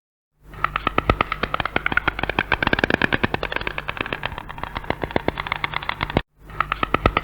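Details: White Stork clattering its bill, its so-called song, in spring: a rapid, dry wooden rattle of sharp clicks, speeding up and slowing, in two bursts separated by a brief pause.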